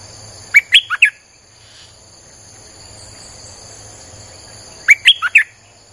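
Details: Streak-eared bulbul song, played as a lure for wild birds: two bursts of four loud, quick chirpy notes that rise and fall, about four seconds apart, with faint high steady insect hum behind.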